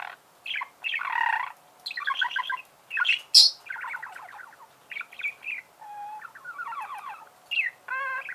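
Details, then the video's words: Budgerigar kept as a pet giving a busy warbling chatter: rapid ticking trills, nasal buzzes, a piercing high squeak and a short wavering whistle near the end. "Чирикает волнистый попугай"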